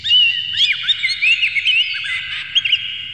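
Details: Oriental magpie-robin lure song of clear, harsh material; continuous rich warble of swooping whistles and quick up-and-down slurs over a steady held tone, with a few sharp clicks.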